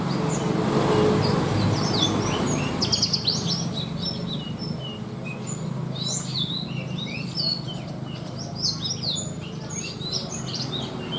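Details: Caged Javan bush lark, a contest bird with a rich mimicry-filled song: rapid, varied high chirps and short twittering phrases in quick succession, some sharp downslurred notes, over a steady low background rumble.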